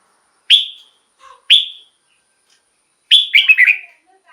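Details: Red-whiskered bulbul, a recording meant for decoy use or to rouse caged birds: two clear upslurred whistled notes a second apart, then a longer tumbling phrase of slurred, warbling notes.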